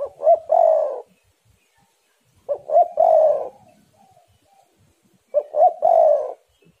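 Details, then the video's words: Spotted dove singing lively, birds urging each other on: three low hooting coo phrases, each a quick stutter of short notes ending in a longer rolled coo, repeated about every 2.5 seconds in otherwise quiet surroundings. "tekukur super gacor saling memanas"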